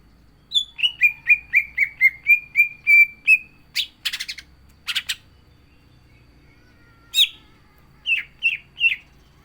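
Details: Vigorously singing captive green leafbird: a rapid string of about ten down-slurred whistles, then harsh, buzzy, rattling bursts, and finally a few separate sharp whistled notes.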